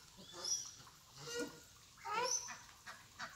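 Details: A pair of Radjah shelducks, kept birds, calling: faint, rough nasal notes with rising harmonic honks around the middle, against low background noise.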